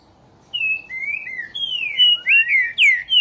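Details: Trinca-ferro, the Green-winged Saltator of Brazil, giving loud, rich whistled song. Gliding notes step downward, then a long falling slur leads into quick overlapping rising and falling whistles that end in emphatic repeated bursts.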